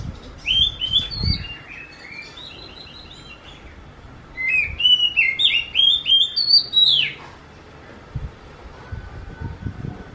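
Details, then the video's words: Oriental magpie-robin delivering two bursts of rapid whistled song, sweet slurred notes rising and falling, the second burst a fast run ending in a sharp upswept note, with low thumps and quiet gaps between. "Viral burung kacer ini suaranya mirip seperti anak kucing"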